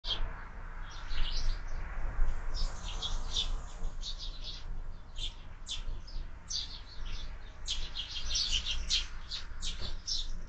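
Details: Several sparrows at a window-mounted feeder in the morning, a spot where birds are fed year-round, give dense bursts of short, bright chirps that overlap and tumble together almost without pause, with a low background rumble.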